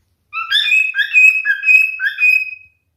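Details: Whistled song of a male cockatiel, a short phrase of clear notes that starts low, jumps higher and holds a long steady whistle with a few lower dips, sung alone.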